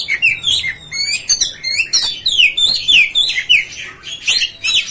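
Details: Kacer (Oriental magpie-robin) singing continuously to stir up other kacer: rapid varied phrases of slurred whistles, high twitters and buzzy notes, repeated in quick succession without pause.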